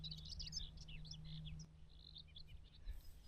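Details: On a warm early May morning near Viksefjorden, Sveio, Vestland, Norway, a Common Whitethroat atop a bush sings a brief, scratchy, hurried warble of high chattering notes, pausing and resuming, over heavy wind rumble.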